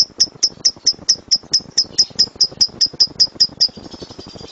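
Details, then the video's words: Lovebird 'tembakan' song used as a training master: crisp, high single chirps repeated about four times a second, stopping after some sixteen notes as the sound fades. "LOVEBIRD SUARA GEMURUH TEMBAKAN BURUNG LOVEBIRD"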